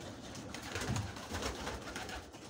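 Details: A low, soft pigeon coo rises briefly near the middle, amid hiss and rustling, on 12 July 2023 at a loft where young pigeons are learning to fly and a hawk has begun hunting them.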